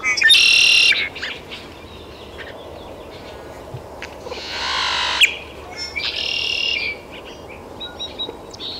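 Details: Taos, New Mexico, June 17, 2017: a great-tailed grackle delivers a strident, noisy burst, then a deeper rushing rasp midway, followed by another buzzy squeal and scattered thin whistles.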